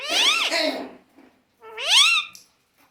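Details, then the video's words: Parrot making two loud, harsh, rising-and-falling calls, each about three quarters of a second, rich in overtones, with a short quiet gap and a faint click between them. "Parrot kaise baat karta hai"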